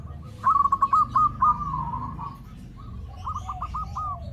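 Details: Zebra dove lure call for drawing in others of its kind: a short run of rolling coos, then softer trailing notes, over a steady low rumbling background.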